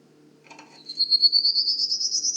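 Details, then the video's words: A Prairie Warbler, a medium-distance migrant first reported in early May, sings in a powerline corridor at Manchester Cedar Swamp Preserve, New Hampshire: a brief lower sound, then rapid thin, buzzy notes climbing steadily higher, over a faint background hum. "They sing a buzzy, repetitive song that rises in pitch. Let’s listen…"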